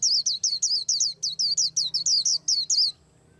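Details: A white-eye preparing to moult pours out a rapid, even series of high, bright, descending whistled chirps, roughly five per second for three seconds, then stops.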